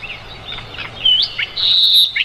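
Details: Mugimaki flycatcher, recorded as song tutoring for other birds: sparse thin whistles, one rising slurred note and a long, steady high whistle near the end.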